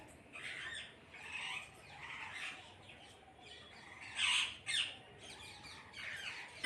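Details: Parrots in a group giving scattered rough squawks, mostly moderate with two sharp louder screeches near the end, over a soft hiss.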